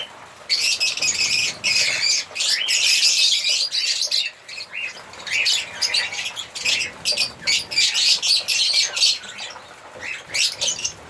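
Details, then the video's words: African lovebirds singing in bursts of sharp, high squeaky chirps separated by brief gaps, the chatter rising and falling in uneven pulses. "African Lovebirds singing and chirping sound"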